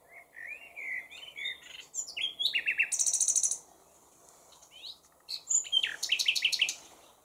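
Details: Common nightingale singing from partial cover: slurred whistles near the start, a buzzy high rattle, a pause, then a fast run of sharp repeated notes.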